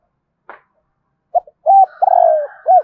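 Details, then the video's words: Spotted dove gives one rolling coo phrase after a faint click and two short notes, with a thin, higher sustained tone running above the final notes. "tieng cu gay kich boi nhanh noi นกเขาใหญ่"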